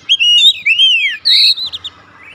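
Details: Oriental magpie-robin in 'nembak' song, giving a long, clear, wavering whistle that slides down, then a bright, buzzy high phrase and a few soft trailing notes.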